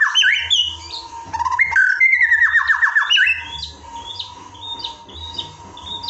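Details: Pet white-rumped shama isian filler song: harsh squawky notes and a fast descending series of clipped whistles, then scattered high chips and slurred notes, with a constant low hum and faint background rumble.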